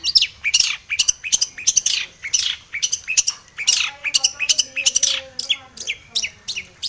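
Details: Full varied song of a long-tailed shrike, played to spur a bird into singing: dense bursts of harsh high chirps and downward sweeps, with softer lower warbles between.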